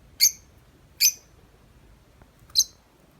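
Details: Tame lovebird chattering outside its cage in the long 'ngetik' style, here three separate sharp, high chirps spaced roughly a second apart against a quiet background.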